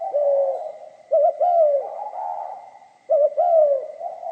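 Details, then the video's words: Spotted dove singing pha kim style: a soft trailing coo, then two clear phrases of a quick double note and a long, gently falling coo, with a steady faint high tone. "Tiếng chim cu gáy giọng pha kim"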